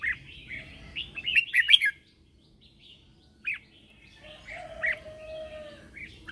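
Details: Red-whiskered bulbul lure bird singing in the morning to call others and stimulate birds in training: a rapid burst of bright warbled notes, then quieter pauses and a few scattered chirps, with a steady low tone underneath.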